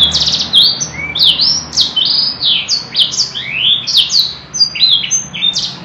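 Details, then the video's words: Canary singing energetically in a long song with luxurious cengkok variations: a continuous run of high, sharply sweeping whistles and buzzy rising notes, with quick trills interleaved, over a faint low hum indoors. "kenari gacor panjang cengkok mewah"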